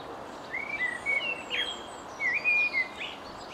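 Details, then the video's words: A common blackbird sings at a distance, filmed by zoom: soft, fluty whistled phrases mixed with thin, high twittering notes, over a steady low background hiss. "singing blackbird"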